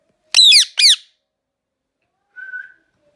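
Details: A single loud double screech from an Indian ringneck parrot, two harsh falling cries in quick succession, followed after a pause by a brief soft whistle.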